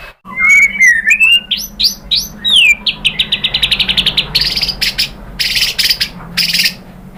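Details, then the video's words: White-rumped shama song used to provoke a caged shama to answer: smooth whistles and a falling slur, then fast ticking notes and bursts of harsh, high buzzy trills. "pancingan MURAI batu bikin EMOSI NYAUT GACOR BONGKAR MATERI ¦ SHAMA BIRD"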